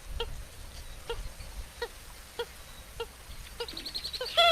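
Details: Purple gallinule with spaced nasal clucks about once a second, then breaking into a fast rattling burst and a sharp squealing note at the close.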